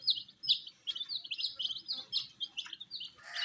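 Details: Baby chicks, coloured, eating wheat; bright high peeps slide downward in quick succession, more than two a second, ending in a brief noisy burst.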